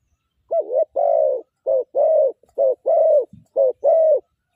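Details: Spotted dove cooing during morning decoy trapping, the session moving from middle-pitched to small voice: low, mellow coos in paired phrases, a short note then a longer throbbing one, repeated steadily against silence.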